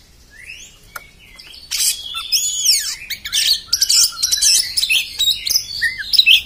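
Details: Harsh 'beset kasar' singing from an Oriental magpie-robin, known locally as kacer. It builds from soft, sliding whistles into dense, rasping bursts and sweeping notes, then continues with quick, varied phrases on a quiet background.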